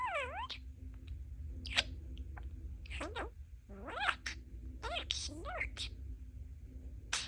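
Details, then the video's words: Happy pet budgie chattering away indoors, a string of high, squeaky, word-like phrases with swooping rising and falling tones and short clicks, packed closely over several seconds above a faint low hum. "Talking Parakeet"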